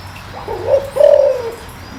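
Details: Spotted dove, deep-toned bird meant to excite a decoy: a two-part phrase, a soft lead-in note and then a sustained mellow coo that sinks toward its end, in calm surroundings.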